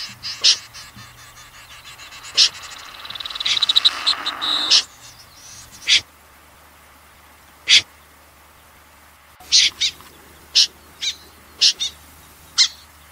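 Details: Common snipe calling in a 2020 recording: isolated sharp, rasping high notes spaced irregularly, with a brief burst of noisy rustling and chatter early on, then scattered single and paired calls.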